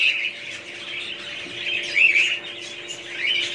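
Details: Several budgies chirp and warble at once, quick squeaky notes and brief upward-sweeping whistles blending into a constant chatter, with a faint steady hum beneath.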